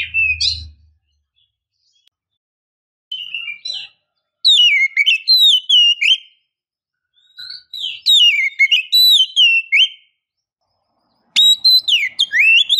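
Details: Female oriental magpie-robin calling a male: looping high whistled notes that rise and fall, delivered in rapid clusters separated by pauses, after a short low hum at the start.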